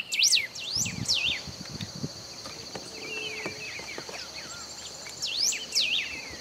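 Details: Golden-billed saltator at Esperanza, Argentina, in 2019, singing short phrases of swooping whistles at the start and again near the end, over a steady high insect drone and soft distant chirps.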